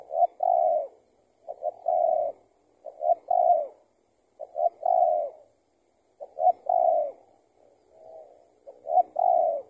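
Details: Spotted dove answering a decoy while being trapped, possibly an escaped tethered bird. About seven repeated phrases, each with one or two quick clipped notes followed by a drawn-out mellow coo, roughly every one and a half seconds.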